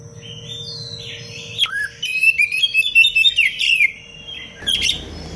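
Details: Oriental magpie-robin, a kacer in full song for training other birds to sing, pouring out a dense, rapid run of sharp whistled and chattering notes between about 1.6 and 4 seconds, then a brief loud burst; a low steady hum underneath.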